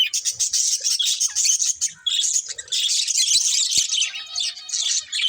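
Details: Budgies warbling almost without pause, a busy stream of high, trilling chirps with a short dip near two seconds and a single sharp click later.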